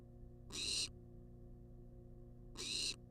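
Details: Wild barn owl on a nest-box live cam demanding food: two loud, breathy, hissing screeches two seconds apart, each about a third of a second, with a faint steady hum beneath.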